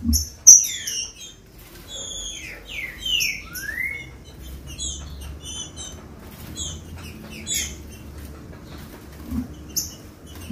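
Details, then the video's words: Song of a green-winged saltator used to get captive birds singing: a short cluster of slurred, downward-sliding whistles ending in a rising note. It is followed by sparse high ticks and chips over quiet background. "TRINCA FERRO OUVIU CANTOU O MELHOR CANTO PARA ESQUENTAR FOGUEAR LEVANTAR SEU TRINCA FERRO"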